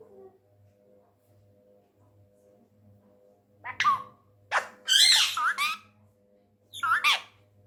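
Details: An angry tame male Indian ringneck parrot kept indoors, known for talking in Urdu and Hindi, gives three bursts of harsh, buzzy squawks separated by quiet pauses, with a faint steady hum in the background.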